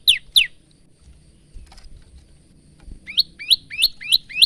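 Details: Active male bar-winged prinia on a phone recording: two loud downslurred chirps, a pause with faint background noise, then five quick rising-and-falling high notes.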